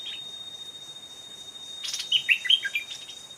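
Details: An old wild stripe-throated bulbul, aggressive and approaching a decoy's trap, delivers a brief bubbly phrase of liquid whistled notes that dip and rise, preceded by a rustling burst, with steady high-pitched insect whine behind.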